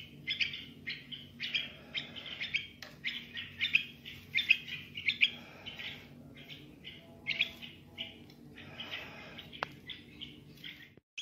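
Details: Young bulbul singing: short warbled, chirpy phrases come in irregular bursts of bright notes, some sharper accents, with brief pauses between groups over a faint low background hum.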